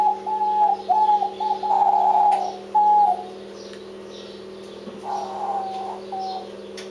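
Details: Diamond dove giving soft, steady mid-pitched cooing notes, several drawn-out tones in a row with brief gaps, then a quieter pair of coos, over a constant low electrical hum.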